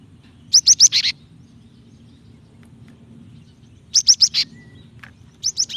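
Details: A female Java sparrow calls to a male, a sound meant to stir males into song: two bursts of four or five fast, sharp high chips about three seconds apart, plus a brief start of a third, over soft low rumble.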